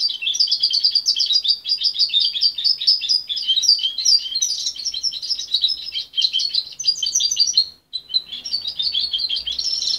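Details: Goldfinch hybrid youngster, not hand-fed but raised by its mother until separated at 23 days, delivering a long, busy warble of high twittering, buzzy trills and chirps with only one brief break.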